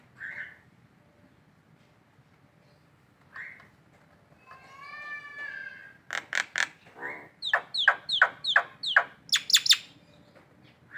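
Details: Indonesian collared kingfisher in the morning. Scattered single squawks and a short buzzy phrase build into a fast series of harsh, clipped notes that grow louder and quicker near the end.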